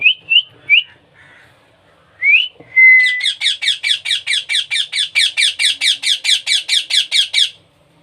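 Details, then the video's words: Baby parrot being hand-fed: a few short rising whistles, then a long, steady series of about twenty harsh rhythmic begging squawks. "#baby #parrot #hand #feeding"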